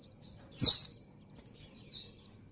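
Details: A female white-eye in breeding condition calls for a male: two high, thin, falling slurred notes separated by about a second, over quiet low noise.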